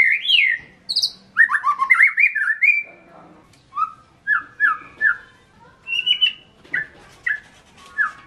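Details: Caged white-rumped shama, a songbird kept in Indonesia, singing a varied run of clear whistled phrases, some rising and falling, then a series of short downslurred whistles spaced about half a second apart.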